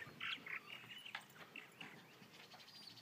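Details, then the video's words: Purple martins at a colony in Elbert County, Georgia, where the species is the county bird: a short burst of gurgling, chirping notes clustered between the low and high registers, with overlapping calls from several birds. "Elbert County's Purple Martin Birds"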